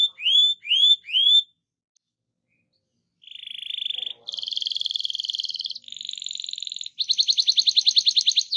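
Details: Rolling canary song used as a master for other canaries: three upward-slurred whistles, a two-second pause, then a chain of buzzy trills stepping between pitches and a fast pulsing roll.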